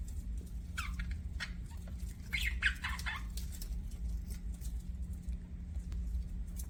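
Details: Budgerigar chirping: a quick burst of short, sharp chirps and downward-sweeping squeaky notes over about two and a half seconds. A scattering of soft clicks follows, all over a steady low hum.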